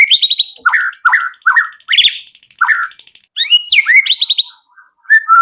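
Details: White-rumped shama lure song meant to get other shamas singing and showing their repertoire: rich, varied phrases of downslurred whistles and buzzy chatter in short bursts separated by brief pauses.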